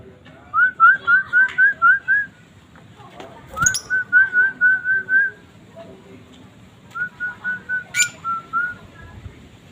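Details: Asian fairy-bluebird in full song, giving three runs of quick, liquid whistled notes at an even pitch, about four notes a second, separated by pauses; a faint background hiss and a couple of sharp clicks.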